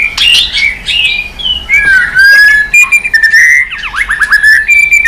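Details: White-rumped shama singing hard with shifting voices and continuous tail flicking: rich warbled phrases, long slurred whistles and a rapid run of rising notes near the end.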